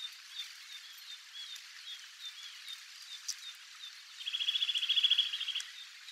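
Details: Eurasian nuthatch, a wild bird recorded at Togakushi in Japan. Soft scattered chirps are followed by a rapid, loud trill of clipped whistled notes lasting about a second and a half.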